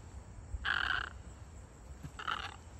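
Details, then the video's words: White egret in flight giving two harsh, hoarse croaks, the first longer and louder and the second shorter, over a steady hiss and low rumble. "White Egret Sounds and Flight"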